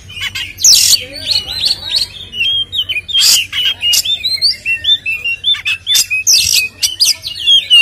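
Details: Oriental magpie-robin in full, lively fighting song with 'ngeplong' filler phrases, played as a lure to make other magpie-robins agitated. Rapid, continuous string of whistled slurred notes mixed with harsh, buzzy squawking bursts, loud throughout over a faint low hum.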